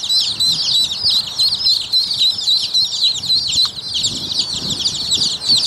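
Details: Several Rouen ducklings, a domestic breed, peep steadily together, their bright, high, slightly downslurred chirps overlapping quickly, with faint low bumps and shuffling in the background.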